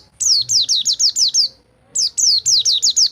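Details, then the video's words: White-eye song meant to train birds that no longer sing: two runs of clear, repeated downslurred high whistles, about six to seven notes each, split by a brief silence. "Masteran Pleci Rol Tembak Untuk Pleci Macet Bunyi"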